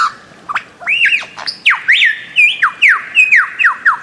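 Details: Bird-of-paradise calling in a fast, rhythmic series of loud, sharp notes, each swooping high then dropping, about eleven repeated over four seconds.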